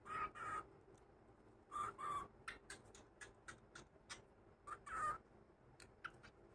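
A cockatiel gives harsh, grating screeches mixed with quick sharp chirps in uneven bursts.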